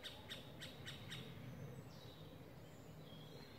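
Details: A Middle spotted woodpecker chick fallen from its nest, trying to climb a nearby tree in Parc de la Poudrerie, 22 May 2019, gives five short, high, sharp notes about four per second, then thin faint whistles over a low background rumble.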